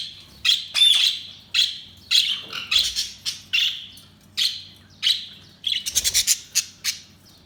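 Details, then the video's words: Budgerigars chirping steadily, a string of bright, slightly buzzy chirps about every half second, with a burst of fast clicking chatter near the end. "Budgies Chirping sound"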